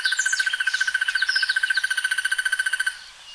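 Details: A crested barbet's rough, rapid rattling trill, fast evenly spaced pulses running for about three seconds before stopping abruptly, with thin higher chirps from other birds in the background.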